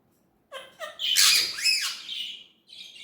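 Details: Ringneck parrot voice in natural talking style: two short tonal syllables lead into a loud, harsh, speech-like phrase with rising and falling inflection, fading into a softer trailing note.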